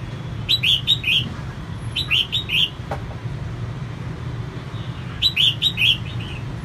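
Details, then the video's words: Female red-whiskered bulbul singing to stimulate male birds: three bursts of quick, bright slurred notes in groups of three or four, one sharp click between, over a low steady hum. "CHÀO MÀO MÁI SIÊNG HOT KÍCH TRỐNG CĂNG LỬA"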